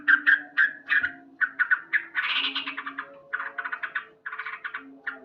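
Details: Morning song of a loudly singing male sooty-headed bulbul: quick clipped notes run into a dense buzzy chatter, then rapid stuttering note groups.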